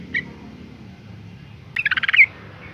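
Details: A single faint chirp, then one tight burst of rapid bubbly notes ending in a brighter upslur, from a female yellow-vented bulbul calling to rouse males into song.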